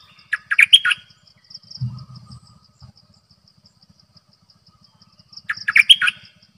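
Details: Decoy bird bulbul singing two brisk chirruping phrases about five seconds apart. A brief low rumbling noise comes between them, with faint high ticking throughout.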